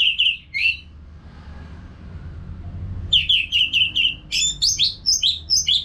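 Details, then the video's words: Orange-headed thrush singing nonstop in a cage in North Bali, used to train other birds: short whistled notes, a two-second gap, then a fast string of repeated whistles building into high, varied, sharply slurred notes; low hum beneath. "ANIS MERAH GACOR TIADA HENTI TANPA NGETEM BAGUS BUAT TERAPI BURUNG AGAR IKUT NGEPLONG NYAUT"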